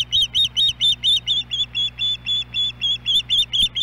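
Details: Ospreys back at the Hellgate Canyon nest in Missoula, Montana, July 29, after being gone all day: an unbroken run of sharp, high whistled chirps, roughly fifteen in four seconds, evenly paced, over a low electrical hum.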